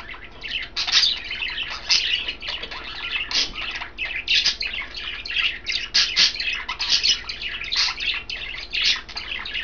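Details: Kale-eating pet budgerigars, three caged birds of green, blue and white; a lively stream of harsh squawky chirps and chattering notes, nearly continuous with small dips.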